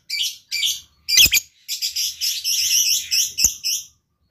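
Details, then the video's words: Lovebird chattering in dense, buzzy, high-pitched phrases, with several short bursts followed by a longer continuous warbling twitter and a sharp click near the end. "LOVEBIRD GAYA MEWAH. SEKALI BUNYi LANGSUNG YAUT.."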